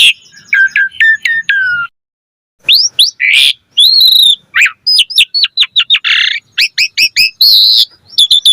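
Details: Asian pied starling in varied full song, meant to set other starlings singing: a rapid series of short repeated whistled notes, a pause, then loud harsh rasps mixed with quick chattering and bent whistles.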